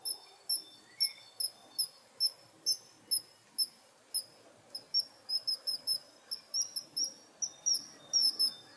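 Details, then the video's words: Kingfisher giving a long series of piercing, very high thin whistled notes, each sharp and short, repeated roughly every half second and sometimes doubled into quick pairs, over a faint low background hiss. "Kingfisher Sound!"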